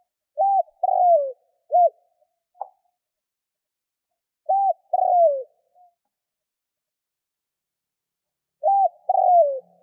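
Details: Spotted dove cooing to call wild doves, three steady phrases roughly four seconds apart, each a short coo, a longer down-slurred coo and a short final coo, with a faint click between the first two.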